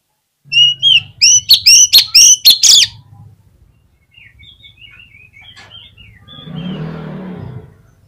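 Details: Oriental magpie-robin lure song for prompting other magpie-robins: eight loud, rapid whistled notes with sharp upward flicks, then a softer sequence of thin twittering slurs over faint rumble, ending in a brief noisy rustle.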